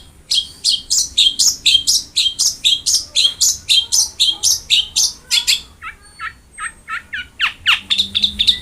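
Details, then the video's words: Long-tailed shrike singing rapidly, as a training recording meant to prompt quiet shrikes to sing: fast run of high, scratchy chirps about four per second, then more spaced, varied notes and a falling whistle near the end. "Masteran Wajib Untuk Burung Cendet Malas bunyi"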